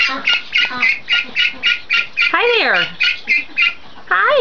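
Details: A domestic duckling about 4 weeks old, alone in a new outdoor pen, gives shrill, high peeps about three or four times a second, with a person's friendly voice breaking in twice.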